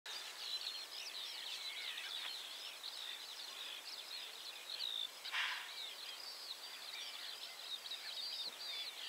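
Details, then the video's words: Eurasian skylark singing a long, unbroken stream of rapid, high warbling and trilled notes that tumble without pause, with soft background noise throughout. "Skylark / Skowronek"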